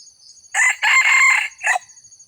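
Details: Red junglefowl crowing in a recording used to lure wild birds: one short harsh opening note, then a longer strained middle phrase, ending in a clipped final syllable. A steady high insect whine sits faintly behind it.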